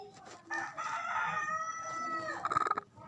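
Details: Mother chicken with day-old chicks: a drawn-out, harmonic call holds a fairly level pitch for about two seconds, then a quick burst of short rapid pulses follows near the end.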